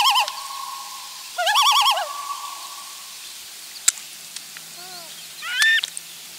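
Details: Loon parents with a chick on the last day at the nest, filmed by a nest camera on July 16, 2024. A steady note gives way to a brief, loud, quavering call, then quiet falling notes and a final rising, wavering call.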